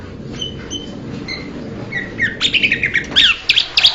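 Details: Blue-winged leafbird opening with a few soft, thin whistles, then breaking into a quick, louder string of squeaky chips and downslurred notes.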